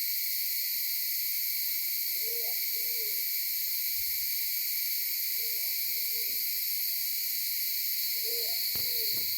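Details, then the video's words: Maleo filmed by mobile phone on Sarva Island, Kampung Ugar: three paired low hoots spaced about three seconds apart, amid a continuous shrill insect background and a brief click near the end. "Burung Maleo"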